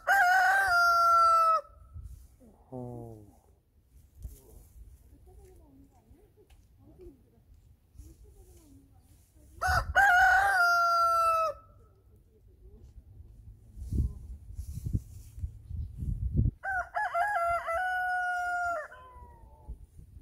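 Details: A rooster with a drooping comb and glossy feathers gives three long harmonic crows spaced several seconds apart, each a rich, level, sustained cry. Shorter calls and thuds fall between them over low background noise.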